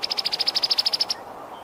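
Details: Brown-headed cowbird, Molothrus ater: a rapid, steady rattle of about fourteen high, sharp notes over roughly one second, then silence apart from faint hiss.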